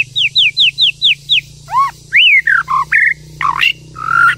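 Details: White-rumped shama song from a female rousing a male to sing: six quick downslurred chips, then a varied run of rich whistles, arched notes and harsher squeaky phrases.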